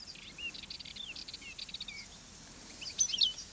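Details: Wild goldfinch at a fennel patch in Catalonia's Garraf Massif delivering a fast, high, jangling twitter of clipped notes, a short gap, then a few sharper bright notes near the end.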